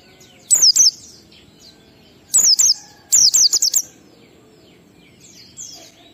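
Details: Oriental white-eye singing the ngalas pattern meant to stimulate captive birds to sing: three bursts of very high, steeply dropping whistles, two notes, then three, then a quicker group of five, followed by faint softer twitters.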